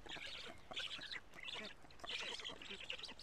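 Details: Black storks on a camera-watched nest in Karula, Estonia, 14 June 2017, late afternoon, during feeding of big fish: rasping, breathy calls in quick bursts about every half second, muffled and distant over constant hiss.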